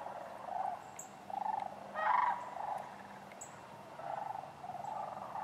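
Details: Sandhill cranes among other waterfowl at Wheeler Wildlife Refuge, Decatur, on 12 January 2013, give distant, rolling, rattling bugles, about one per second, with one louder, closer call over a low background hum.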